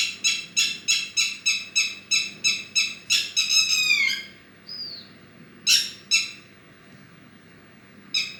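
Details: Bird song: a rapid series of harsh buzzy notes about three per second, accelerating into a descending rattle, then a short clear whistle and a few more spaced rasping notes after a pause.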